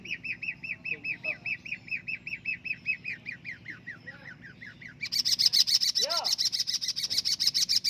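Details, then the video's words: Long-tailed shrike, a singing-contest champion, gives a regular series of repeated chirps that slow and drop in pitch, then bursts into a dense, very high, buzzy rattling chatter. "burung pentet juara"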